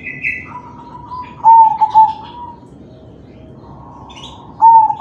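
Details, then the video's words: Zebra dove, crossbred kalung tempuk, cooing to encourage other doves to sing; a faint drawn-out coo, then a loud stuttered phrase, and another phrase beginning at the very end, with occasional high chirps. "Suara perkutut crossing manggung || Perkutut crossing kalung tempuk || Pancingan perkutut lain"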